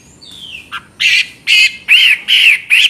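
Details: Chinese hwamei giving a thin falling whistle, then five loud, harsh, rasping notes spaced about half a second apart.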